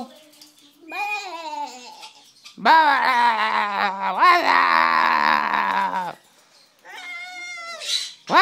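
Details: Cockatoo mimicking "wazzup" with some human prompting: a drawn-out, wavering, nasal harmonic cry that runs for several seconds, set between shorter squawky bursts and brief pauses.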